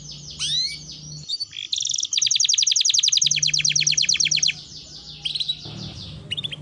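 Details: Lure recording of a gacor canary to stimulate others to sing. Scattered high calls over a low hum lead into a dense, fast trill of bright chirps lasting over two seconds, followed by a few thin notes.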